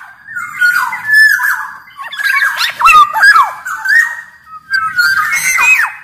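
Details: Caged black-naped oriole from Sumbawa in full song, used to train and lure others: flowing fluty whistles rising and falling, mixed with several coarse, scratchy bursts, about five phrases running into each other.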